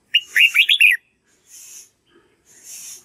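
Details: Red-whiskered bulbul singing to train young white-cheeked birds: one quick, rolling phrase of several bright whistled syllables, followed by two soft hissing noise bursts.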